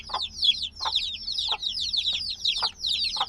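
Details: Recently hatched black baby chicks cheeping in a binaural recording; rapid high whistled peeps falling in pitch come in clustered bursts from many chicks, with faint low thuds about twice a second.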